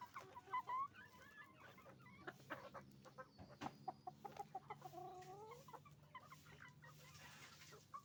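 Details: Chicken farm with roosters and hens calling: loud clucks and a few drawn-out squawking calls from many birds, with a rising wavering call near the middle and a steady low background hum.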